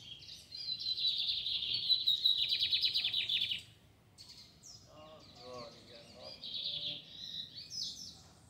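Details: Lined seedeater singing in a town square in the Fátima neighbourhood. A long, loud buzzy trill lasts about three seconds, followed by softer mixed chirps, whistles and a quieter buzzy phrase.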